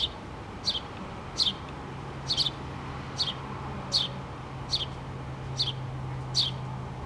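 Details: A mother house sparrow and her two baby birds, eyes open, nest in a pole on 3 August 2017; the babies chirp short, bright notes dropping quickly in pitch, about once a second, over a steady low mechanical hum.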